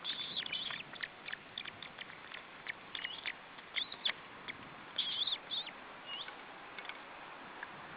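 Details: Osprey at its nest during feeding, July 2012: bursts of high, thin whistled notes come in short clusters, some slurred and wavering, separated by brief pauses over a steady background hiss.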